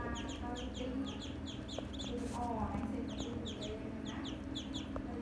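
Ducklings peep steadily, with many thin, high, down-slurred cheeps overlapping several times a second over a low background hum and faint voices.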